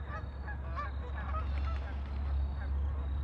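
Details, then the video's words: On a lake, several ducks give short, honking, harmonic calls in quick succession, layered over a continuous low droning background. "Ducks on a lake for relaxing sound"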